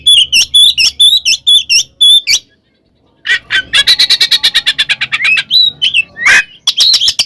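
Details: Loud, aggressive fighting song of an oriental magpie-robin meant to rile other birds: quick sharp whistled notes, a pause, then rapid harsh chattering pulses and a few rising squeaky whistles.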